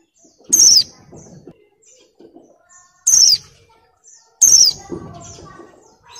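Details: Female Oriental white-eye in breeding condition, moulting, calling to males: three loud, high, thin whistled notes, each sliding downward, spaced about two seconds apart, with quiet low murmurs between.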